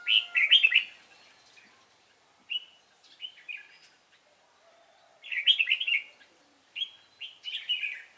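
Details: Red-whiskered bulbul, a Cánh ruồi bird with a good voice, recorded while being trapped on 3 March 2017: loud, clear, bubbly whistled phrases in bursts, with pauses of one to three seconds between them, in a quiet background.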